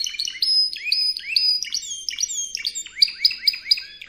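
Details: Spanish Timbrado canary singing for canary training: rising swept notes in quick succession, a sustained high whistled tone, then rapid choppy bell-like phrases, clean and without other sounds.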